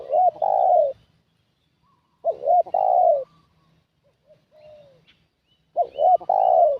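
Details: Spotted dove calling to lure wild doves: three loud cooing phrases of two short notes and a long drawn coo, with a soft, faint coo heard in the pause between them.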